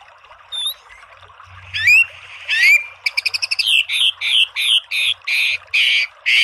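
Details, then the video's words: White-rumped shama masteran song: isolated sharp whistles and upward sweeps, a quick burst of clicking pulses, then a series of loud, buzzy rich notes repeated about twice a second. "MASTERAN MURAI BATU full TEMBAKAN biar EMOSI NYAUT jadi BUNYI GACOR BONGKAR ISIAN"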